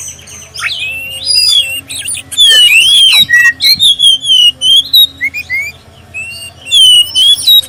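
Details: Oriental magpie-robin of the black-breasted form singing a clear prompting song to set other magpie-robins singing, with long wavering whistles, quick bursts of rasping and chipping notes, and bright looping slurs against a steady low hum.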